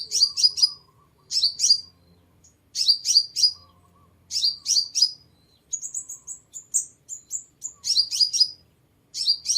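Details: Sunbird on a clean lure track: rapid bursts of three or four sharp, very high chips repeated in quick succession, broken by a brief run of thinner, higher twittering notes.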